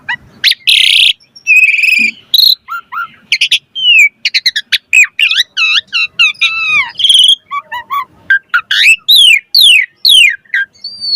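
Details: Asian pied starling singing actively in a full, richly varied song used to prompt other birds to answer: rapid mix of clear whistles, rising and falling slurred notes and harsh buzzy bursts, loud and almost continuous with short gaps.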